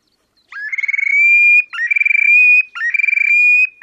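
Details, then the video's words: Terek sandpiper giving its display song at Lipovaya Gora near Verkhnee Sheykino on the Pra, Oka Nature Reserve, Russia, 30 April 2019: three loud phrases, each a buzzy trill sliding into a ringing, slightly rising whistle, about one per second. "Мородунка Xenus cinereus, токовые крики / Terek sandpiper song"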